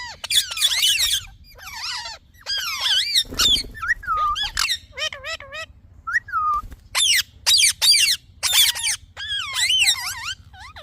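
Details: Talking parrot chirping: harsh screeching squawks, then varied whistles, some level and some sliding, followed by a fast run of short sharp chirps at about two per second.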